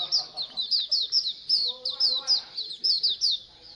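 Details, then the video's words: Oriental white-eye colony chorus used to get birds singing more: rapid high chirps and trilled twitters repeated several times a second, with a soft lower tonal sound briefly underneath. "Pleci Koloni agar BUKPAR AGAR RAJIN BUNYI"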